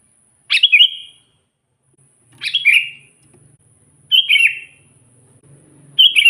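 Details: Sooty-headed bulbul calling out to wild bulbuls to provoke them. Four short bright chirped phrases with falling tails, roughly every one and a half seconds, over a faint low hum.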